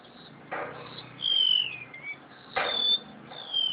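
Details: Crested honeyeater, known locally as cucak sintier, kept caged in Java and singing actively: thin high whistles gliding downward, repeated about every two seconds, with sharp clattering knocks between phrases.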